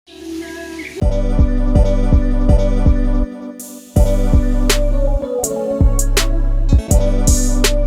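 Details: Plucked guitar-like music with a steady low beat and bright high accents, with no animal voice standing out.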